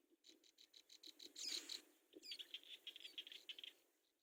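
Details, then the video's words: Hungry brown prinia nestlings beg while the mother feeds them at the nest: a rapid train of thin, high chirps about five per second, a louder squeaky burst midway, then another quick, insistent run of calls. "Brown Prinia Feeds Babies, Baby Birds hungry"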